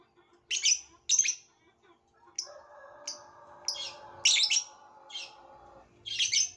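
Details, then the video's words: Violet lovebird giving short, harsh, high chirps in separate bursts, with a steady low hum running through the middle. "Burung lovebirth violet"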